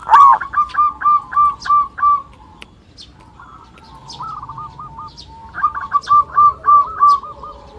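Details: Local zebra dove calls serving as a lure for other birds: a strong run of evenly spaced short cooing notes, a softer quiet patch, then another loud series of rounded, repeated notes.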